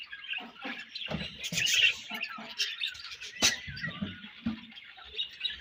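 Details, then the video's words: Many budgerigars chirping together, a continuous high warbling chatter with sharp clicks and squeaks, plus scattered low knocking and rustling sounds. "Budgies Colony Chirping Sounds"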